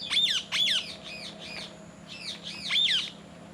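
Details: Parrots, one eating an apple among others, give harsh, buzzy squawks that drop in pitch, a loud pair early, softer ones in the middle, then another loud burst near the end.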